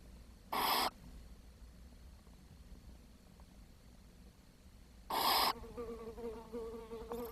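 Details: Barn owl nestlings lacking food, 10 June 2023: two short, intense hisses about four and a half seconds apart, followed by a soft wavering hum and another hiss beginning.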